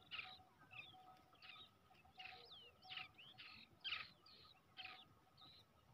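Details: Brown shrike youngster raised from the egg, heard softly with brief grating calls and curved thin whistles, irregularly spaced, against low hiss.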